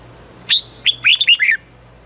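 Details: Single red-whiskered bulbul phrase in the southern master style, used to stimulate caged birds: a high clear whistle, then a brief gap and four quick slurred whistles that fall in pitch.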